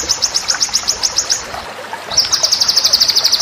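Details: White-rumped shama master song for training birds for song contests: rapid rows of sharp, high chipping notes, about four per second, a brief pause, then a faster, slightly lower chattering trill.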